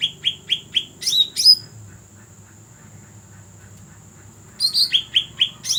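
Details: Cucak rante call used for luring birds: a quick series of sharp, downward-slurred chirps repeated about four times a second, then a squeaky flourish, a pause, and another run of similar chirps. A steady faint high hum and low rumble run underneath.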